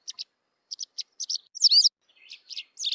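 A white wagtail sings a lively string of high, sharp twittering notes, broken by a brief louder warbled phrase; no other sounds intrude.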